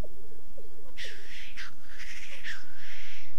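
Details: Black grouse in courtship display at a lek in the French Alps: a low, rapid bubbling coo in short runs, then loud, breathy hissing sneezes, each about a second long.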